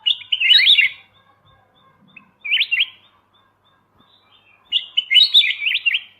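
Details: Kutilang emas mata putih, a white-eyed golden bulbul, in a master recording for training songbirds: three lively chattering whistled phrases, the first and last longer, separated by short silences.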